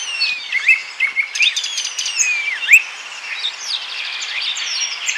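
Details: Common starling (Sturnus vulgaris) singing in Bryansk: a busy jumble of slurred whistles, sharp clicks and buzzy rattles, the high notes sliding up and down without pause.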